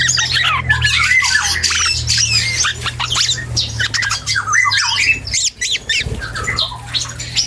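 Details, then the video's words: Black-and-yellow oriole, a young bird still learning to sing, delivering a long unbroken stream of scratchy notes, squeaks and quick whistled slides, with a low droning hum in the background. "KEPODANG HUTANG muda||belajar ngoceh"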